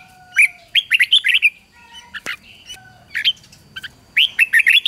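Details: A red-whiskered bulbul sings bright, bubbly phrases of quick warbled notes in three bursts, with a single sharp click in the middle; the song is used to train and stimulate wild-caught bulbuls to sing.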